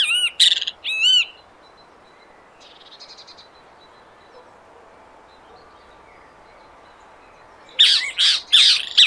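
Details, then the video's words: Great kiskadee (bem-te-vi) in Brazil giving loud, shrill, harsh bursts of two or three notes at the start and again near the end, with a faint buzzy call between and soft background hiss. "O CANTO DO BEM-TE-VI NA NATUREZA"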